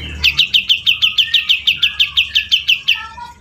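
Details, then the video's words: Energetic singing from a grey-cheeked bulbul: a steady string of roughly fifteen sharp, clipped notes at a brisk tempo, with soft lower whistled tones trailing underneath toward the end. "Cucak jenggot gacor"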